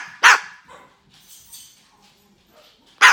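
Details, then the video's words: A roughly 9-year-old female pet umbrella cockatoo in Limington, Maine, which barks along with the dogs, imitates a dog with two short, harsh, raspy barks about three seconds apart, with faint low murmurs between. "Barking Bird Makes Convincing Dog Noises"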